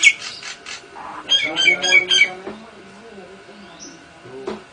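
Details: Caged Nias hill myna singing mimicked lovebird and canary phrases: a few loud harsh squawky notes, then a quick burst of sharp whistled chips, fading into softer low chatter and a final click.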